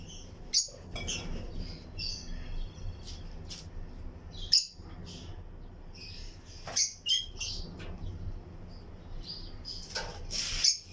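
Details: Lutino lovebird pairs in a breeding colony aviary with other birds; intermittent sharp, high chirps and brief squeaky bursts every second or two, a few louder clicks, over a steady low hum.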